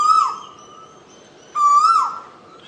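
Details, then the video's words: A bird gives two clear whistled calls, each a steady mid-pitched note that swells and then dips at the end, separated by about a second and a half of quiet. "चिड़िया की आवाज"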